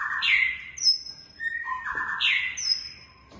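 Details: Long-tailed white-rumped shama (Klewer type) kept at a breeding aviary: loud whistled phrases sliding down from high notes, a bright high descending whistle, then a lower falling phrase, repeated twice, with some low background hum.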